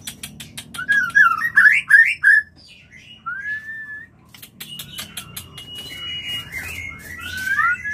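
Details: White-rumped shama singing its mating song to prompt pairing: a burst of loud looping whistled notes, then a lone slurred whistle, a thin sustained high note and twisting warbles, with clicking sounds and low hum behind.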